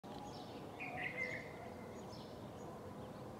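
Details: Birds singing in the morning: a brief burst of bright twittering chirps in the middle of the clip, with faint higher notes scattered around it, over a steady hiss of background noise.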